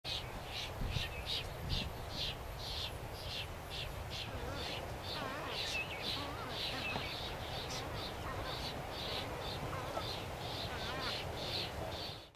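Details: An Española cactus finch on Española, Galápagos, Ecuador, in May 2012 gives rapid, repeated high chips, several a second, over a steady low rumble of wind.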